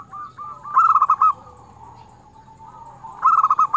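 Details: Local zebra dove, a crystal-voiced frequent singer used for luring doves. Soft stuttering coos lead into a loud burst of rapid bubbling notes, then a quieter pause before another loud burst begins.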